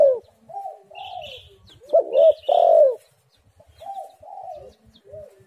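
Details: Spotted dove cooing to lure doves into song. Soft background coos and high thin chirps from other birds, with a loud phrase in the middle: two quick coos then a long, low, falling coo.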